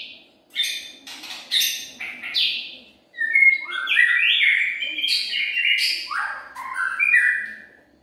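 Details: A white-rumped shama sings its lure song: several short, harsh scratchy notes come first, then a long flowing passage of clear whistles that swoop and step through varied pitches.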